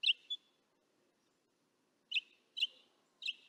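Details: Northern Mockingbirds, recorded distant with a parabolic microphone, give short bright chirps: a quick pair, then three more spaced about half a second apart, against a quiet background.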